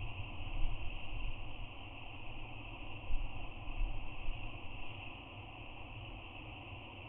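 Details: Low wind or engine rumble with a steady hiss and a few soft bumps, and no animal calls.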